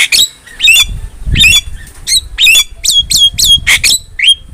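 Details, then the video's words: Javan myna singing in a tutor recording for training songbirds: bursts of harsh squawks mixed with bright whistled notes and sharp rising-falling chirps, repeated in quick succession with short pauses, faint low rumble beneath. "MASTERAN JALAK KEBO GACOR"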